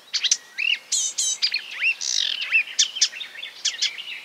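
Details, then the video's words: Marsh warbler mimicking other birds in a jumbled song, short rising whistles and buzzy chatters alternating with quick chips and a harsh rasp in the middle. "A marsh warbler (Acrocephalus palustris) imitating other birds"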